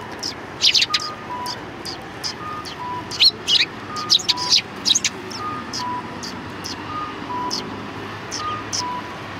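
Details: A group of sparrows greets someone at the back entrance of a Tenmangu shrine on 25 February 2020. Sharp, high chirps come in irregular bursts, over a repeating two-tone electronic beep and faint traffic.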